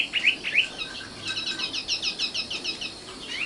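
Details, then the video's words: Common nightingale, called sikatan londo, singing: a few rising whistled notes open the phrase, then a fast series of repeated high chirped notes, about three per second, steady and bright. "kicau burung sikatan londo"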